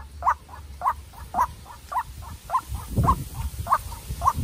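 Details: Young decoy White-breasted Waterhen sparring with a wild bird: repeated coarse paired notes at about two per second, growing mixed with low rumbling bumps in the second half.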